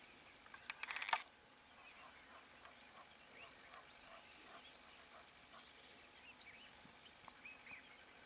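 White-fronted bee-eaters give soft, short chirping notes, scattered irregularly and overlapping. A quick burst of camera shutter clicks comes early on.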